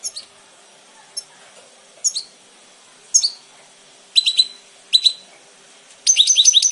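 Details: Goldfinch singing: short bursts of high, bright twittering chirps, spaced about a second apart at first, then closer, ending in a fast run of rapid tinkling notes over a quiet background.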